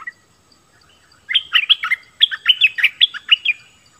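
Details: Bulbul singing: two quick bursts of bright, warbled notes, each note sliding sharply down then jumping back up, packed closely together after a short silence.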